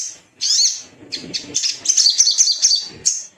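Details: Little spiderhunter, used as a lure to prompt singing, giving one sharp high note and then a dense, rapid, high-pitched chattering run of squeaky notes that lasts nearly three seconds.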